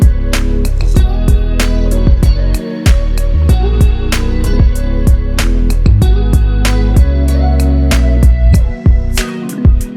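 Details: Loud strummed guitar music with steady plucked chords and no animal or bird sounds.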